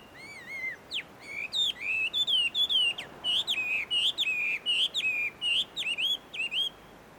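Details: Free-living Chinese hwamei at a tree-shaded Tenmangu shrine, Joso, Ibaraki Prefecture, Japan. It gives a fast, varied run of loud, ringing whistles, each note sharply bent or looping, more than two per second.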